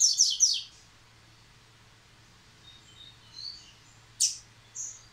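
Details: A captive male yellow-bellied seedeater returning to song after moult: a quick burst of high, buzzy twittering, a long pause, then two sharp chips, faint low hum behind.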